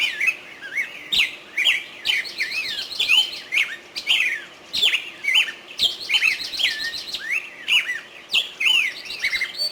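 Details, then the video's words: Continuous bulbul song of looping, slurred whistles and quick chirps, rising and falling in short phrases. Sharp clicking knocks punctuate the calls every second or so. "Садои булбул"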